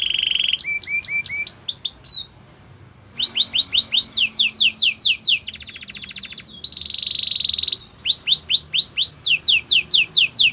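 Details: Pet canary song meant for training: a held whistle, quick repeated notes and rising sweeps, a brief pause, then fast descending phrases, a buzzy trill, a ringing rolling trill and more falling sweeps.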